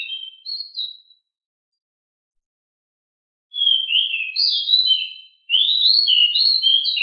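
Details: Pied bushchat (decu), home-kept, as master song. A short whistled phrase, about two seconds of silence, then a continuous stream of quick, rising and falling chirped notes.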